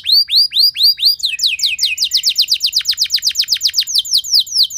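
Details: Canary singing loudly to stimulate other canaries: evenly spaced arched whistles, then a long series of fast downward-sweeping notes repeated steadily.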